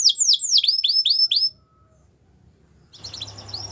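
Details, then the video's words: Belgian canary singing a training song: a quick series of looping, falling whistled notes lasting about a second and a half, then silence and a faint noisy burst with soft notes. "Canary Training Song | Belgian Canary Singing"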